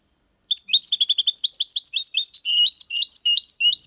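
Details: European goldfinch singing in the Málaga copy (copia malaga) style, played to stimulate young birds to learn; a dense, fast run of high twittering, tinkling notes starts after half a second and continues without pause to the end.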